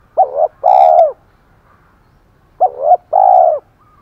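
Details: Spotted dove decoy, 'thổ pha' voice style, giving fighting coos: two loud phrases, each a brief wavering note pair then a sustained deep coo, separated by a quiet pause of about two seconds.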